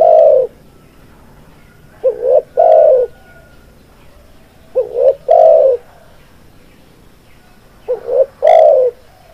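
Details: Spotted dove lure call used in Indonesia to attract doves for trapping; three loud, soft-toned coo phrases, each a short double note then a longer throaty coo, spaced about three seconds apart in otherwise quiet surroundings.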